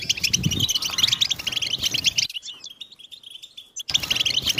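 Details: European goldfinches twitter together in a recording made to stimulate silent goldfinches into song. Busy high chirping breaks off for about a second and a half of near silence, then resumes loudly.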